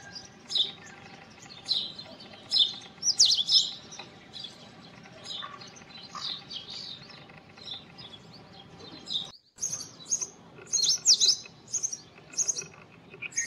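An Indian robin sings short, high, sweet warbled phrases with brief pauses between them, over a faint steady background hum.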